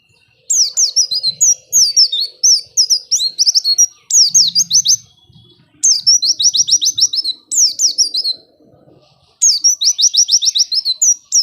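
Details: White-eye song used as a lure to make lazy white-eyes start singing: six bursts of rapid, high, twittering and chattering phrases, each about one to two seconds long, separated by short pauses, over a faint low hum.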